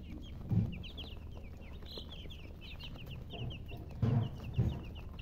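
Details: High, falling chick peeps run in quick clusters over a low drone, broken by a few loud low thuds near the start and toward the end.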